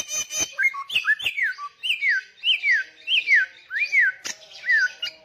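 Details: Loud, persistent samyong song: clear arched whistles that swoop up then glide down, repeated about twice a second in an even series, with sharp clicks at the start and a faint steady background tone.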